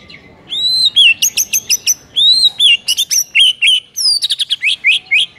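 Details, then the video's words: White-rumped shama morning song, loud and rich: rapid sequences of clear whistles and sharp high chips, delivered in quick bursts with brief pauses, no other sounds clearly heard. "MASTERAN MURAI PAGI HARI INI"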